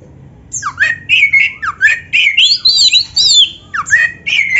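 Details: Energetic Oriental magpie-robin song for training other birds: repeated swooping whistles dropping then rising, interspersed with harsh buzzy notes and a burst of high twisting phrases, sung at a fast steady pace.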